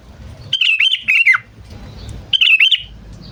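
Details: Calling sooty-headed bulbul, used as a bird-luring call: two bubbly whistled phrases, each under a second, the first ending in a falling slur, with a faint low rumble between them.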